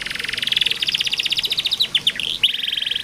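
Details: Canary song for coaxing young or lazy canaries to sing: a long rapid rattling trill of evenly spaced notes, broken near the end by a few sharp downward flicks before the trill resumes.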